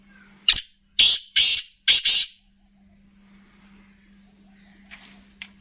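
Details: Grey francolin calling while playing in soil alongside another francolin: a series of loud, harsh, broadband bursts, about five in two seconds, then quieter thin squeaky notes, with a constant low electrical hum.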